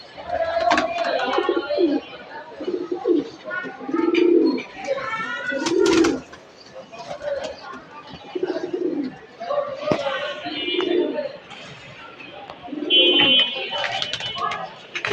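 Pigeons give low, throaty coos in soft rolling bursts, repeating every second or two.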